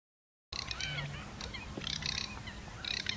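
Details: A Garganey (Anas querquedula) gives dry, crackling rattles in three short bursts about a second apart, over a low steady hum.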